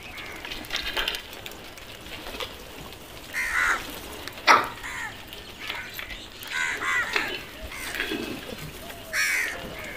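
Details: Several crows cawing at irregular intervals, short rasping calls rising and falling, with a sharp knock midway and steady outdoor background noise.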